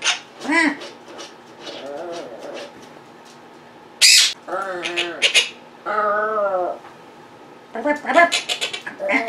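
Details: Pet Quaker parrots (monk parakeets) vocal indoors while their owner edits at a computer: a mix of mimicked whistles, squawks and speech-like warbles with harmonic rising notes, broken by quiet gaps.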